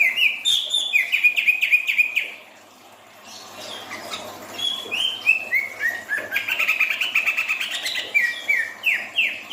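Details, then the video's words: Greater green leafbird, hyper and in breeding condition, delivering fast repeated downslurred whistles, a brief pause, then a varied run of chirps, slurred whistles and rapid high twitters. "cucak ijo hyper minta nikah"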